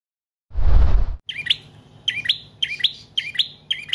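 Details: Bar-winged prinia in long, continuous song used as a lure and tutor for other cage birds: after a loud low rumbling thump at the start, sharp high chirpy two-part phrases repeat about every half second.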